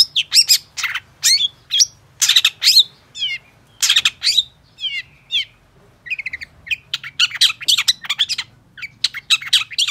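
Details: Long-tailed shrike in lively full song: dense bursts of harsh, scratchy chatter mixed with quick high whistled slurs and trills, delivered in rapid phrases with brief pauses, against a low steady hum.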